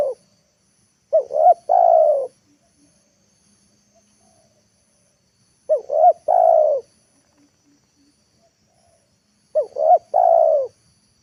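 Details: Afternoon calling of a spotted dove kept as a lure for bringing wild birds to the ground. Three phrases about four seconds apart, each two short hoots and a drawn-out mellow coo. Long quiet pauses between them.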